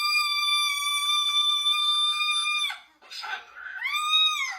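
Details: A pet cockatoo, apparently upset, holds a long, steady, nasal tone for almost three seconds, then gives a rough burst and a rising-falling squawk, with a person's voice nearby.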